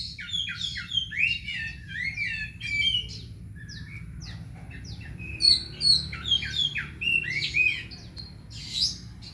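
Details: Home-kept Oriental magpie-robin (kacer) in rich continuous song: rapid strings of rising and falling whistled notes mixed with short sharp chips and a few harsh bursts, over a low constant background hum.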